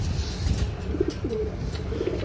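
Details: Pigeon giving soft, low, short cooing notes around the middle and end, faint against a steady low rumble and background hum, with brief dull thumps near the start.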